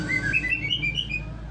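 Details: White-rumped shama from Sumatra singing a quick run of clear whistled notes, short slurred phrases stepping up and down, over a low steady hum.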